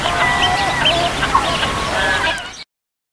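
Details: A four-day-old Mallard duckling in a park in Wales gives quick, high peeps, several every second, over a steady hum and some sustained tones in the background.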